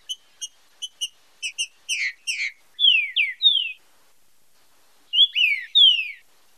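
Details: Green-winged saltator performing 'fibra com marcheado' song for training and stimulating singing. It opens with quick dry ticks, then rich whistled notes sliding downward in a phrase of three. After a pause, a similar three-note whistled phrase follows. No other sounds.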